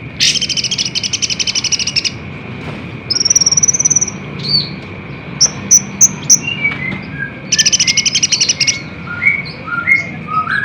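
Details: Sunbird song played to provoke caged birds into answering: dense high buzzy trills alternating with sharp thin whistled notes and falling chirps, over a faint steady tone.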